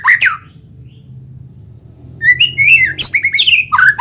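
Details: Singing white-rumped shama, used as a lure to prompt other shamas to sing. A short loud opening phrase, a quiet gap, then rising and falling whistles with scratchy, squawk-like notes mixed in.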